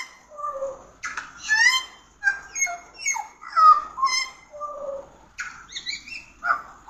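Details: Pied butcherbird producing mellow, fluty whistles mixed with quick slurred notes in uneven phrases, some ringing and sustained, over light background noise.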